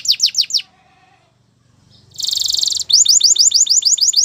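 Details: Canary song for training: a few quick descending notes, a near-silent gap, then a dense buzzy rattle followed by a steady string of sharp repeated falling chips.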